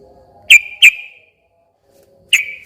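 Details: Sooty-headed bulbul song used as a lure to provoke a silent bird into singing back: a few loud, clear whistled notes, two close together, a pause, then two more. A faint low hum sits underneath.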